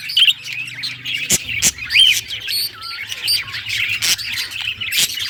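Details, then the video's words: Happy budgie song, a busy stream of twittering chirps and squeaks with short whistled glides, broken by loud clicks, over a steady low humming drone. "Budgie singing happy | Birds chirping | Parakeet happy life"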